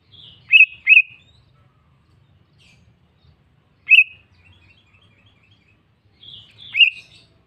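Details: Sooty-headed bulbul calling a rival with short bubbly phrases of two or three rich slurred whistles, repeated roughly every three seconds, with soft twittering notes in between.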